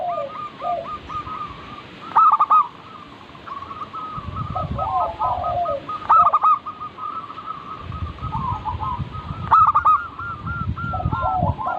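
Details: Lure recording of local zebra doves to coax birds into song: three loud bursts of rapid rolling coos, about four seconds apart, over constant cooing trills from other doves and some low rumbling noise.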